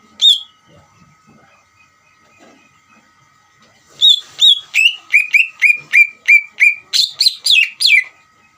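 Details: Greater green leafbird song played to stir another leafbird into answering: a lone whistle, a lull, then a rapid run of about fourteen loud whistled notes that fall in pitch, the last ones fuller and harsher.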